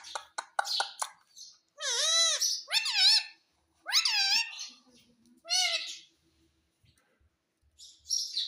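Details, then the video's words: Pet parrot saying "mummy": a few short clicks, then four loud, wavy, harmonic-rich squawked syllables in speech-like rhythm with pauses, the last rising then falling; quiet room otherwise, with a faint low hum. "Parrot Speaking mummy mummy"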